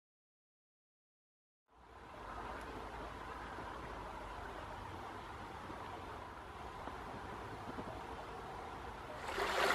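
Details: After a short silence, a steady rush of flowing water fills the recording, with no animal calls heard.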